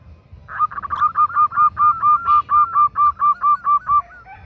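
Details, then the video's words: Calling to attract a male, a female zebra dove utters a steady string of about thirteen short, rounded cooing notes, evenly spaced at just over two per second, clear against a quiet background. "Suara Perkutut betina Memanggil Jantan || The sound of a female turtle dove calling a male"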